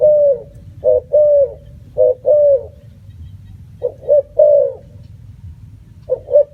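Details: Repeated coos of a spotted dove, quick double notes leading into a longer mellow coo, phrases separated by short gaps and one longer pause, low steady hum behind.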